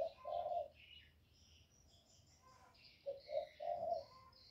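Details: Spotted dove used as a lure bird, calling, cooing and urging: a low mellow coo, a pause, then a three-part phrase of short, short and drawn-out hollow notes, with faint higher bird chirps behind.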